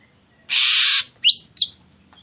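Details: Ashy drongo song meant to provoke other birds to sing: one long harsh rasping burst followed by two quick rising whistled slurs.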